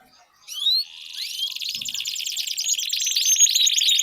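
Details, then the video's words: Canary song meant to prompt a silent canary into singing. After a brief quiet start, rising whistled notes lead into a long, dense, high rolling trill of rapid repeated syllables that grows steadily louder. "4 Suara Burung Kenari Ampuh Untuk Pancingan Kenari Macet Bunyi"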